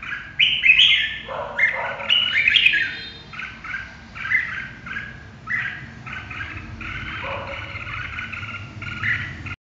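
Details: Red-whiskered bulbul singing a fast, lively run of warbled syllables, loud opening flourishes followed by a steady string of short chirpy notes that gradually soften.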